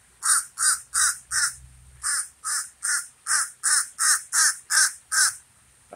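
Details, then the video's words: Common raven calling: three quick hoarse caws, a brief gap, then about nine more loud caws at a steady rhythm, roughly three per second, with no other sounds. "Raven says never more"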